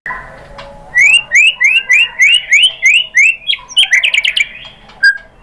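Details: Lure recording of a white-rumped shama for provoking other birds: a run of about ten repeated upslurred whistles, then a fast burst of sharp notes ending in a single short whistle.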